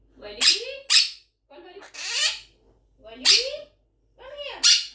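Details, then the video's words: An 11-month-old pet Quaker parrot talking indoors: five short, harsh, speech-like bursts with raspy, squawky syllables, each spaced about a second apart, with brief silences between. "11 Months Old Quaker Parrot Talking | Parrot Speaking"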